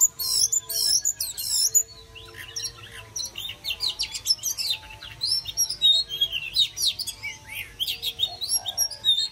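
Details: Oriental magpie-robin singing to welcome summer: a loud, rich run of high, varied whistles and sharp chirps in quick bursts. After a short pause it resumes with twittering phrases. A faint steady hum sits underneath.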